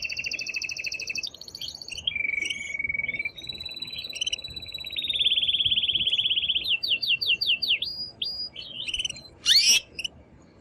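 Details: Male canary in an excited state sings to spur a female toward mating; varied phrases of buzzy trills, a long steady rolling tour, then quick descending sweeps and a sharp click near the close.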